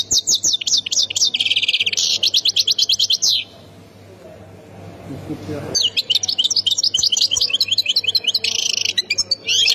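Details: European goldfinch from the Khemis Miliana area, Ain Defla province, Algeria, singing rapid, high, tinkling twitters and liquid trills in two long bursts, broken by a short pause with a soft low rustle.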